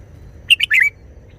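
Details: Brief, busy Red-whiskered bulbul phrase in wild-song style, a sharp chip followed by two rolling, warbled notes lasting under half a second.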